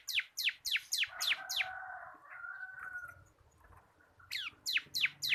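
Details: Local bar-winged prinia of the kristal kapas type, a caged bird singing in the ngebren style as a tutor for other birds: rapid loud downward-sweeping whistled notes about four per second, a softer buzzy chatter in the middle, then the sweeps resume.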